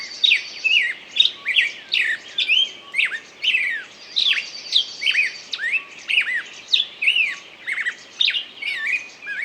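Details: Bird song: a busy run of varied whistled notes, short rising and falling slurs between roughly 2 and 5k pitch, with a steady high buzzy trill running beneath, phrases repeating about twice a second.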